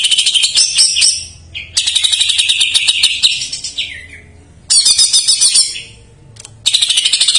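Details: Greater green leafbird singing jamtrok-style fill-ins, used as a lure for untrained or silent birds: long harsh buzzy chattering bursts lasting one to three seconds, separated by short silences, with a few whistled slurs.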